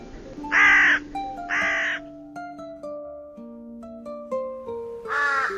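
A crow gives three harsh, hoarse caws, two close together and one a few seconds later, over light plucked background music.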